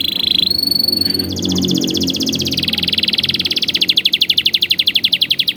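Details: Canary song used for training young birds: a high steady trill shifts to a brief higher note, then a long series of rapid, evenly pulsed notes that grow louder and more spaced toward the end.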